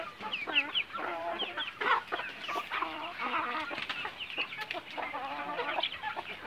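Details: Bangkok chicken breed on a semi free-range farm, a crowd of hens and birds clucking with wavering, bouncing notes, steady overlapping chatter filling the whole stretch.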